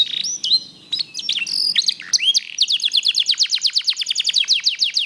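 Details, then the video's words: Varied whistles and slurred notes from a black-red mosaic canary give way to a steady rapid trill of descending chirps lasting about two seconds. "BEAUTIFUL SONG OF BLACKRED MOSAIC CANARY"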